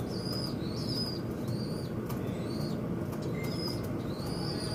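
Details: Several birds squabble at a window, calling noisily: around seven thin, high whistled notes that bend downward, some overlapping, with scattered tapping sounds and a low steady hum.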